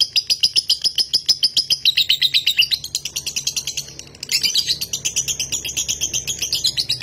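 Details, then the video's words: Nganjuk-bred lovebird doing konslet, its long continuous singing: a fast train of shrill twittering notes that dips in pitch and briefly softens midway, then resumes strongly at a higher pitch. There is a light low hum in the background. "LOVEBIRD KONSLET"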